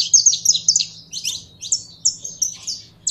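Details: High, rapid twittering from a kept saffron finch being worked up to sing, with sharp chirps in quick sequence that slow slightly toward the end.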